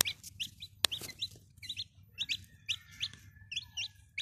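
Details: Domestic chicken chicks keep up steady high peeping, short descending notes repeated in loose pairs and runs, broken by one sharp click near the start, with low hum beneath.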